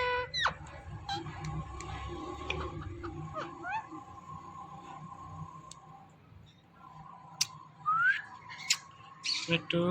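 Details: A pet rose-ringed (ringneck) parakeet talking, repeating "mittu", in a raspy, speech-like voice broken by sharp squawks and quick rising chirps, over a low background hum.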